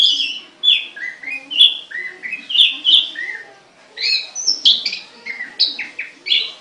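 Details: Caged songbird producing varied warbling phrases: bright whistles, quick up-and-down slurs and clustered chirps, delivered in groups separated by short gaps.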